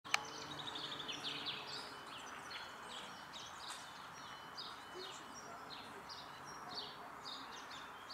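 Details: A European robin sings thin, high, wavering phrases, some sliding up or down, in quick succession over a steady background rush; recorded 28 February 2024 in Tivoli Landscape Park, Ljubljana.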